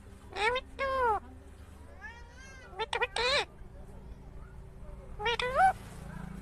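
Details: Green rose-ringed parakeet talking: short speech-like syllables with curving, wavering harmonic tones, grouped in quick pairs, a softer warbled phrase in the middle, and a final rising-falling word, over a low room hum.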